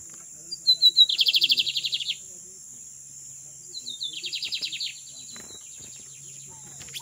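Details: Lined seedeater, known locally as bigodinho, giving two fast buzzy trills of rapidly repeated notes, each opened by a few thin high notes, the first lasting about a second; a steady high electrical whine runs throughout.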